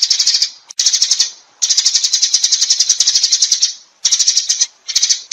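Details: Flock-gathering calls of sparrows, coming in bursts of fast, shrill, overlapping chirping separated by short silent gaps, the longest stretch lasting about two and a half seconds.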